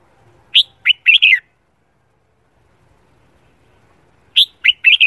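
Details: Red-whiskered bulbul singing in the morning during training for singing competitions; a quick phrase of bright warbled notes, a long silence of about three seconds, then the same bubbly phrase repeated.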